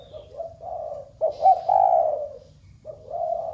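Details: Spotted dove giving coos meant to set other doves at home cooing: a soft, rising coo, then a louder, sustained falling note, then another rising coo after a pause.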